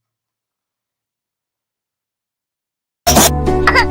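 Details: Three seconds of silence, then a brief burst of music and a harsh, cough-like sound in a small room.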